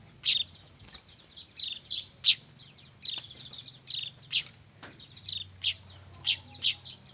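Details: Clamouring young weavers used as lure sound: short sharp chirps, some in quick doublets, repeat irregularly above a continuous high whine and a faint low hum.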